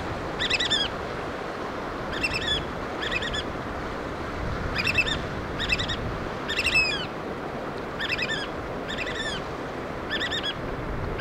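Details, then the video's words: Piping calls of black oystercatchers at a coastal site in Washington while the adults feed their chicks: clustered bursts of sharp, high whistled notes repeated every second or two, with surf-like rumble beneath. "Black Oystercatchers Feed Chicks"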